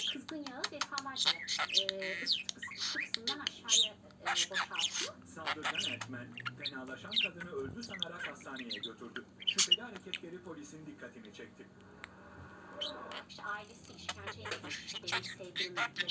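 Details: Budgerigar (Melopsittacus undulatus) at play chatters in a rapid, scratchy warble of squawks, clicks and bright chirps.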